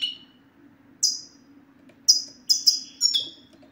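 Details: European goldfinch song of the sitsita style, used to get silent males singing: a few scattered, high, sharp chirps, each sliding downward, separated by short pauses, over a low steady hum.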